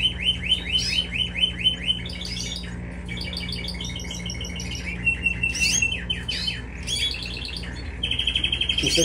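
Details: Canary that scored 91 points in a song contest, singing indoors in the background while chicks are hand-fed. Fast, high rolling trills of repeated notes, some buzzy and some clear, in shifting tours, over a low steady hum and faint speech.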